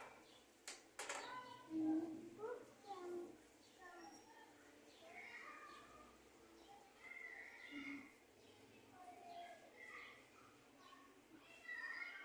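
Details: Australian budgerigars, a breeding group, chatter in a busy warble of short squeaks, chirps and scratchy notes, with a couple of sharp clicks.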